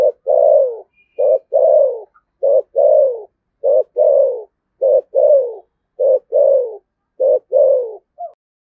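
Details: Rhythmic 'thúc gù' cooing of a 'thổ sấm' voiced spotted dove from Đồng Nai, Vietnam. Paired phrases, a short low note and a longer sinking coo, repeat roughly every 1.2 seconds, seven pairs, in a quiet setting.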